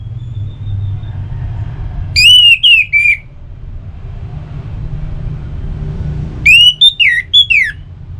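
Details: Song of a kept Orange-headed thrush in northern Bali, used to coax other birds into singing; two loud bursts of whistled, swooping phrases separated by a pause, with low rumbling background noise.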